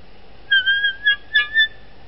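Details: Bald eagle at the Dale Hollow nest, heard around the laying of the first egg and a fish brought to the female; a few short, clear whistled notes in two quick bursts over about a second, slightly falling, over faint steady hiss.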